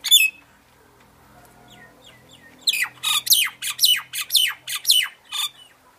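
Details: Myna singing: a single sharp note, a pause with faint soft notes, then a rapid series of about eight loud, harsh downslurred squawks.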